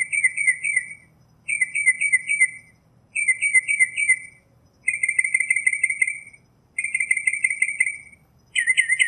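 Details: Northern mockingbird song made of short chattering phrases, each a run of four or five rapid notes, repeated with brief pauses and shifting slightly between repeats.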